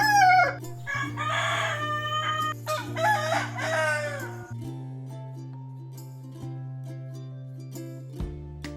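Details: A rooster gives one loud, harsh, multi-part crow of about four seconds, rising then held, its territorial and hen-attracting song, over steady background music.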